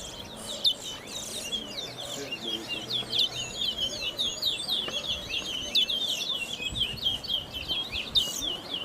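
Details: Song of a caged Brown Towa Towa during a bird race at Sheriff Street bird ground: a dense, continuous run of high, quick twittering chirps at a steady pitch, with faint voices and crowd noise behind.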